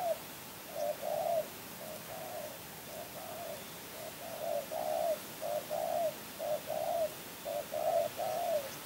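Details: Spotted dove, a champion bird from Kebon Kacang, coos almost continuously, a steady series of rounded mid-pitched notes in pairs and short groups, each swelling then fading.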